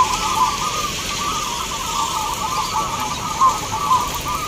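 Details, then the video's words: Zebra doves at a crowded local perkutut contest in Boyolali, Central Java, Indonesia, many birds singing together; dense, unbroken stream of soft bubbling coos over a constant background hiss. "SABLENG NO 39 LOOOS DOOOR TAK TERKONTROL😱Lomba Perkutut lokal"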